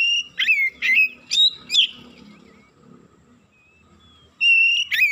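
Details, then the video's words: Oriental magpie-robin in an excited state gives a burst of ringing whistled notes with sharp slurs, falls quiet amid soft background rumble, then resumes with another loud whistle. "KACER NAIK EMOSI BONGKAR ISIAN"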